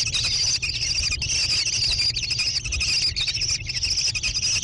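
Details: American kestrel chicks in a nest box beside a barn near Prairie du Chien, Wisconsin, USA, mid-June 2022. High, rapidly pulsing chatter continues throughout, loud and close, above a low background hum.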